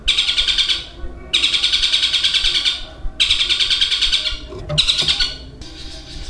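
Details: Caged Long-tailed shrike (cendet) in a mimicking song: dense, rapid, high chattering bursts about a second long, separated by short pauses. It borrows long phrases from kingfisher (tengkek buto), fighting house sparrows, kuntilanak and a long-trilling lovebird.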